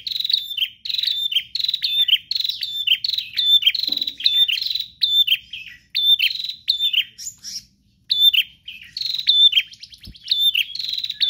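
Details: Bar-winged prinia singing loudly and persistently without pause: rapid, high, buzzy notes delivered in short repeated bursts, each phrase lasting under a second with brief gaps between them. No other sounds stand out.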